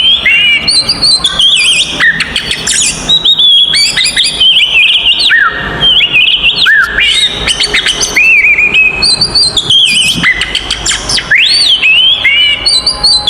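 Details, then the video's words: Energetic fighting song of an oriental magpie-robin, the 'konslet' style used to provoke rivals: a long, varied run of bright whistles, sweeping slurs and rapid twittering trills with hardly a pause. "SUARA BURUNG kacer gacor TARUNG konslet paling AMPUH buat PANCINGAN KACER EMOSI"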